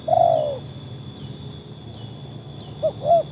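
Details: Trained spotted dove (tekukur), its quality tested against wild doves: a low mellow coo opens, then quiet, then two shorter soft coos close together near the end, over a steady low hum.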